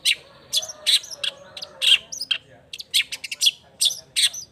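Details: Long-tailed shrike singing with emotion: a busy jumble of rasping notes, quick chips and short chattering bursts tumbling almost without pause.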